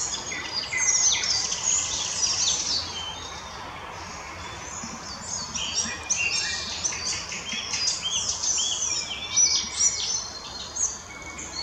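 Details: Icterine warbler song recorded in the Krasnoglinsky area on 12 May 2020, a restless medley of squeaky, scratchy and whistled high notes delivered almost without pause, with steady faint background noise.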